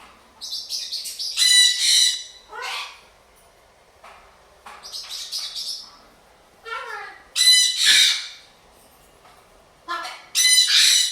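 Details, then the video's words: Bored pet blue-and-gold macaw indoors, sharing a room with a sun conure and a parrotlet, scolding the other birds to stop; bursts of harsh, grating squawks come in rough pairs with short gaps, some rising sharply in pitch. "making a lot of noise when bored"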